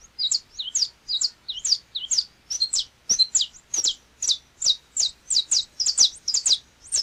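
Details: Brazilian Saffron Finch (canário-da-terra) singing: high, sweet chips and two-part twittered notes in a lively series, the rhythm uneven at first and then settling into evenly spaced bright notes.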